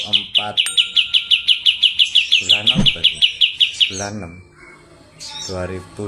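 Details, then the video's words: Energetic kapas tembak, Medan type, rattling off a quick series of high, piercing repeated notes for nearly four seconds amid low clicks and knocks, then falling quiet before more faint noises. "KAPAS TEMBAK MEDAN GACOR ISIAN SUARA PEDAS NGEROLL SPEED NEMBAK EDAN"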